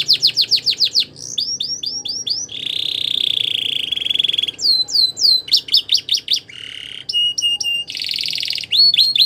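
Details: Belgian canary song used for canary training: rapid sequence of varied phrases, fast repeated descending whistled notes, a sustained buzzy trill, sweeping chirps and rattling tours switching every second or so, loud and clear with a faint low background hum.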